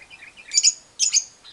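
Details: Lovebird giving the long ngekek trill, used as a lure to set silent lovebirds singing: two short, dense, shrill high-pitched bursts about half a second apart, with soft chirps before and after.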